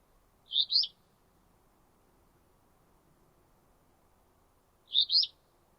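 Alder Flycatcher giving its short buzzy two-part "free-beer" song twice, about four seconds apart, over a steady low hum.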